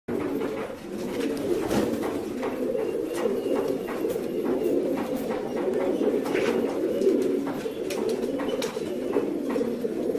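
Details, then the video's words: Many fancy pigeons cooing together in a dense, continuous chorus of low, overlapping coos, punctuated by frequent sharp clicks and wing or foot clatter throughout. "Pigeons Sound"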